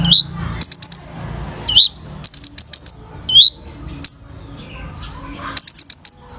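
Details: Sunbird known locally as kolibri ninja in energetic full song: short upslurred whistles alternate with clusters of three to five very high, clipped ticking notes, repeated several times against a quiet background.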